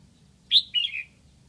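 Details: Caged decoy red-whiskered bulbul from Lạng Sơn singing to lure wild birds: a loud, high two-part whistled phrase, a sharp upslurred note followed by a longer, slightly falling warble, over a low, steady background hum.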